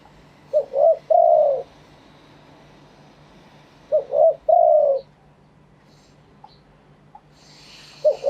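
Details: Wild-type spotted dove from Thailand, singing live: a phrase of two short coos and a longer hollow coo, repeated after a pause of about three seconds, over a faint steady hum.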